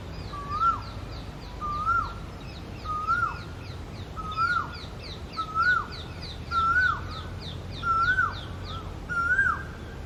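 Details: Male Asian koel calling steadily: eight rising whistled notes, each bending upward then falling away, about one per 1.2 seconds. Another bird keeps up a fast series of thin, high chirps throughout.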